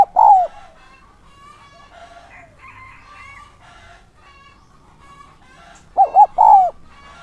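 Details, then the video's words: Spotted dove used as a decoy for wild doves. A coo ends at the start, then there are several seconds of faint mixed bird calls, and a full three-note coo phrase of two hoots and a long falling note closes the passage. "Chim cu gáy mồi giọng SON chuẩn THÚC và GÁY GỌI kích bổi nhanh nổi hiệu quả"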